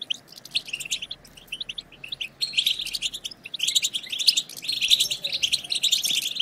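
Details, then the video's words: Group twittering of European goldfinches meant to rouse other goldfinches into song: scattered sharp high chirps at first, then from about two seconds a thick, continuous bright chatter of overlapping voices. "هيجان خرافي وتحفيز من أول دقيقة بتبتة حسون خرافية لن يهدأ حسونك بعد سماعها قل وداعا لصمت الحسون"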